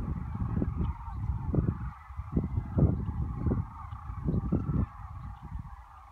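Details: Large gathering of sandhill cranes at Whitewater Draw in Arizona beside the cattail pond, February 11, 2018: constant overlapping trumpeting calls in a blended chorus, swelling and fading, with bursts of low rumble.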